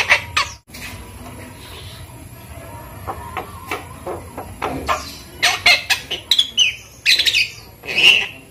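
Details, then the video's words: Five-month-old Javan myna kept as a pet, raised from a chick and being taught to talk. A run of dry clicks builds into denser rasping bursts and a few short whistled notes toward the end. "jalak kebo umur 5 bulan belajar bicara"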